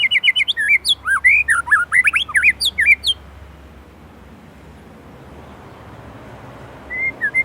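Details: Gacor white-rumped shama from Indonesia delivering a loud three-second phrase of rapid looping whistles and chips packed with isian, followed by near silence and one short whistle at the end.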